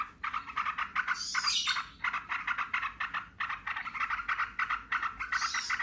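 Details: Several yellow-vented bulbuls in lively song, answering each other; dense overlapping bursts of bubbly, chattering notes with little pause, and occasional higher squeaky notes standing out.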